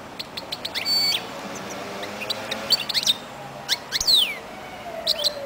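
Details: European goldfinch of the 'royal' type, described as a singing pairing bird, gives bright twittering song: quick high chips, a short buzzy trill, then steep downward-sweeping whistled notes in two bursts, over a faint low hum.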